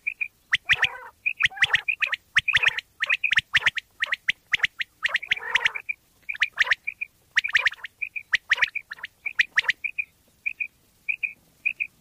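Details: Quail sounds from Pakistan used for hunting. Dense runs of sharp clicks and high twin whistles, a few rough buzzy notes mid-clip, ending in evenly spaced paired pips.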